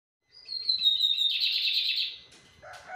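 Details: Lined seedeater (bigodinho) singing in an aviary flight cage. A high, buzzy phrase opens with a slurred whistle sliding down, then runs into a dense, rapid trill. It ends with a brief harsher, lower note.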